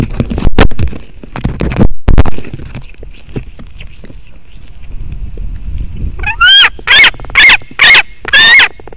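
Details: White-tailed eagle at a nest webcam in Latvia, 7:36 pm on 27 August 2018, knocks heavily against the microphone, then gives five or six shrill, yelping notes in quick succession.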